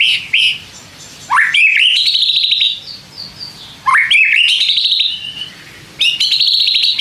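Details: Song of a white-rumped shama meant to draw replies from other shamas: sweeping upslurred notes leading into long rattling high trills, three phrases in seven seconds.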